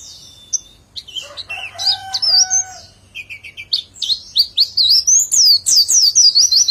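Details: White-eye singing in 'nembak' style. Scattered chirps and a few lower, longer whistles give way to a quickening series of high, sweeping whistled notes joined back to back. The background is quiet.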